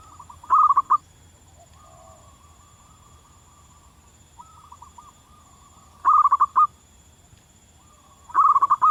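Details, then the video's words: Local zebra dove in the wild, singing strongly: three bursts of rapid, soft trilled coos spaced a few seconds apart, with fainter cooing phrases between them over a quiet background. "suara burung perkutut lokal di alam liar gacor durasi panjang"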